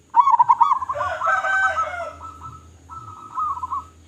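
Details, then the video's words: Local zebra dove in vigorous, loud-voiced song used to lure other doves: rapid pulsed cooing that blurs into a dense warbling stretch, followed by a quieter run of evenly spaced coo notes. "Perkutut Lokal Gacor Suara Besar Suara Paling di Sukai Burung Perkutut apa Saja"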